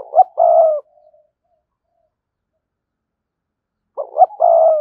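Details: Spotted dove, a decoy voice for luring wild doves, giving a coo phrase of short rising notes and a sustained low coo, then a pause and the phrase repeating.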